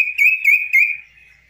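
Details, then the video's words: Hand-tamed kaso-kaso bird singing uncaged on a person's hand: three loud, clear, slightly upslurred whistles in quick succession, rich in overtones, fading into a steady thin high tone. "BURUNG KASO KASO GACOR DI TANGAN TANPA SANGKAR"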